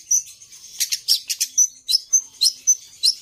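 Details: Long-tailed shrike singing with imitated fills, a quick string of bright whistles and harsher chirps, irregularly spaced with a few quiet gaps.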